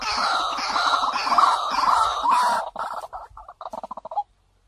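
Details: White-breasted waterhen lure call: a drawn-out, harsh warbling croak that gives way to a fast stuttering series of short clucks ending in one sharp note.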